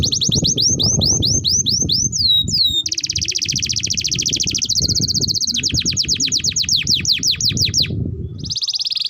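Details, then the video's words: Canary in continuous long song, recorded to train young canaries: repeated sweeping whistles, a long sustained buzzy roll, then a rapid series of sweeps and a final trill over low rumbling noise. "Pancingan Burung KENARI Gacor Panjang || Masteran Kenari Paud"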